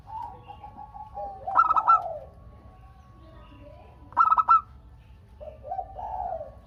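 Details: Song of a local zebra dove, played to draw answering calls from other doves. Two stuttering coo bursts come about two and a half seconds apart, then a quieter, lower, descending coo.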